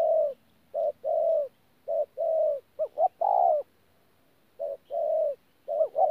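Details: Spotted dove, wild-caught, from Tu Mo Rong, 14 January 2019, giving thổ calls mixed with gù: low short-long coo pairs, plus quick upslurred notes before a louder long coo, with a faint low hum behind.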